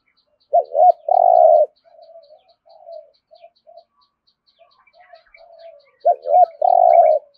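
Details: Spotted dove cooing in the 'thổ rền' style of 'thúc gù': two phrases of quick double notes and a long throbbing coo, separated by a few seconds of soft, low murmurs.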